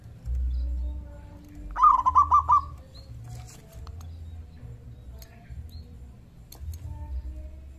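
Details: Local zebra dove, loud-voiced and in full voice, calling to prompt other doves to answer: a single mellow, rolling phrase of about five quick bubbling coos near the middle, followed by quiet background with faint distant sounds.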